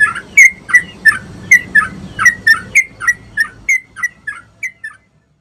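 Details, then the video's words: Sooty-headed bulbul in energetic song, used to spur other bulbuls into singing: a rapid run of about sixteen short whistled, slightly buzzy notes, roughly three per second, ending abruptly as the background goes quiet. "SUARA BURUNG TRUCUK GACOR ‼️ COCOK BUAT MERANGSANG TRUCUK BAHAN"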